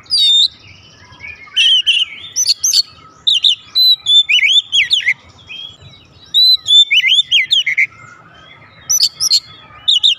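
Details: Kept oriental magpie-robin answering with loud, energetic song, a long series of rapid twisting whistles and sharp high notes in dense bursts, broken by short silences, with a faint low hum throughout.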